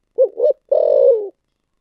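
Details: Spotted dove cooing in the thổ sấm voice style: a quick pair of short, rising coo notes, then one long, full note that holds steady and slides gently down. It sounds clean against silence.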